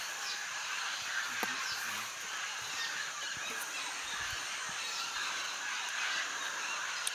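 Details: At a clay lick where parrots eat clay to balance toxins from green fruits, a dense, continuous chorus of harsh squawking parrot calls overlaps without pause, with brief human voices nearby.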